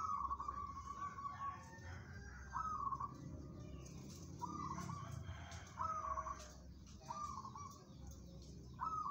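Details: Steel-nerved local zebra dove suited to song competition, cooing in a series of about six short, vibrating trilled phrases, each under a second and spaced one to two seconds apart. Faint clicks are also heard.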